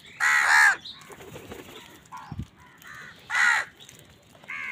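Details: Crow fighting wild birds for food, giving loud, raspy caws in two bursts about three seconds apart, with quieter shorter calls and scuffling noises between them.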